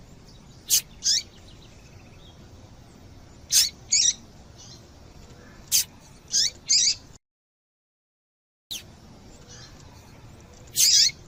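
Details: Female double-collared seedeater calling, used to stimulate males to sing: short, sharp, high chirps, singly or in quick pairs and triplets, spaced a few seconds apart, with a brief silent gap partway through.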